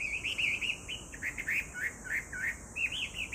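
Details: Song of a Chinese hwamei, recorded July 2019: bright, looping whistles repeated in quick succession, some rising and some falling, against a constant shrill insect hum in the background.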